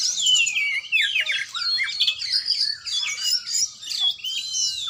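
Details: Oriental magpie-robin during a training session, delivering loud, clear song: descending whistled slurs, chattering notes and bright rising whistles in quick succession, with no other sounds.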